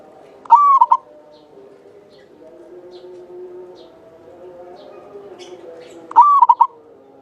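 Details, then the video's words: Local Java zebra dove, an eager singer used as a lure for other doves: two cooing phrases about six seconds apart, each a long steady note then two brief notes, with faint low droning tones between. "Perkutut lokal jawa gacor buat pancingan suara panjang bening"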